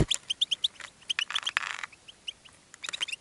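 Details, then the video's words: Caged European goldfinch singing, drawing in other goldfinches; rapid liquid twittering with repeated bright chirps and a short buzzy rattle, mild background hiss. "GOLDFINCH SINGING in a Cage and Attracting Other Goldfinches"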